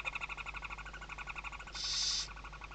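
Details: At a Western barn owl nest in Tarragona's Ebro Delta, Spain, 2023 season, chicks shelter under the mother's wings; fast regular chittering pulses, then a loud breathy hiss lasting about half a second.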